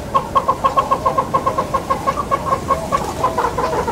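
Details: Southern yellow-billed hornbill in Kruger National Park, South Africa, giving a long run of hollow, clucking notes, about seven per second, steady and slightly uneven in pitch, with a low background hum.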